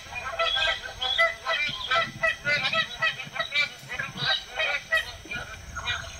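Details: A flock of magpie geese in the Northern Territory, many birds calling at once: rapid, overlapping honks in bursts, a busy chattering chorus over faint background rumble.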